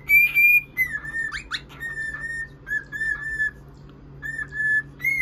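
A cockatiel gives a series of clear, steady whistled notes broken by a brief harsh chirp.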